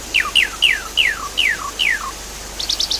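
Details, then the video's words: Javan pied starling with water sounds, played to prompt a bird that has stopped singing: six loud whistles sliding steeply downward, about one every third of a second, then a quick buzzy stutter near the end. "Therapy Pancingan Jalak Suren Macet Bunyi, Sounds Water And Birds"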